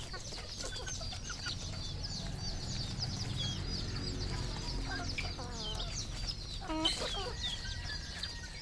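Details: Red junglefowl on a farm in Cambodia cluck and call among a busy flock, with a brief harsh squawk near the end over a low rumbling background and many chirping birds.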